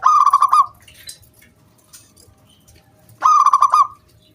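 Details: Local zebra dove giving its lure song to encourage other doves to sing: two loud, bubbling trilled bursts about three seconds apart, quiet between them.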